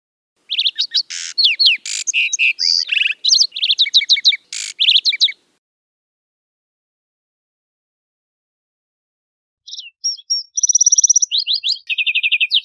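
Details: A lark sparrow (Chondestes grammacus) sings two long, varied phrases of rapid trills, buzzes and clear chips, high-pitched and jumbled, separated by about four seconds of silence.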